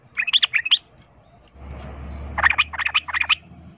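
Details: Two short rapid phrases of chirpy, bubbling notes from a sooty-headed bulbul giving a fighting song to provoke rivals, with a low hum in the gap.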